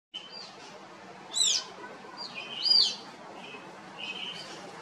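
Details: Spur-winged lapwing at the Los Angeles Zoo on 21 March 2021, with a chick ducking for cover; two sharp, high, downward-sweeping chirps about a second apart, then fainter thin notes over a steady background hiss.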